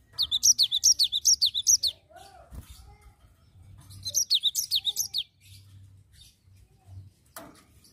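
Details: Vigorous cinereous tit song of the ngerol type, two spells of quick repeated high descending notes, each lasting under two seconds, with dull thuds and low room hum between them.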